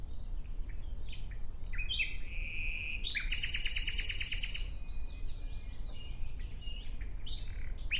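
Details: A nightingale sings in a natural setting, with brief chirps leading to a sustained pure whistle, then a fast, powerful pulsing trill of evenly repeated notes, followed by varied short phrases against constant low-pitched background noise.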